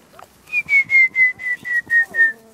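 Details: A Montezuma quail covey being whistled in at Bonita Canyon Campground, Chiricahua National Monument, with an imitation of the presumed female song: eight clear, falling whistles, each slightly lower than the last, in about two seconds, with faint soft thumps beneath.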